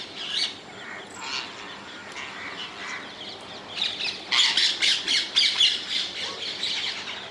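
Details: Wild rose-ringed parakeets in the Netherlands: harsh, grating screeches, softer and scattered at first, then a loud run of rapid squawks repeated about four times a second from the fourth second, outdoors with a faint hiss of background noise.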